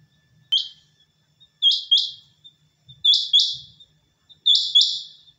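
A quail gives harsh, high, buzzy notes: one single note, then three quick doubled bursts, each pair a couple of seconds apart, over a quiet background.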